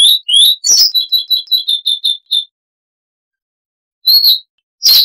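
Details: Siberian rubythroat, a small insect-eating songbird, giving a short burst of song with background noise removed: a few slurred whistles, then eight quick paired high notes, a silence, and two more brief phrases.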